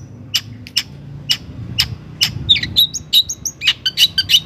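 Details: Long-tailed shrike singing to provoke other shrikes into song: spaced sharp high notes at first, speeding into rapid varied whistled and chattering notes, over a steady low background hiss.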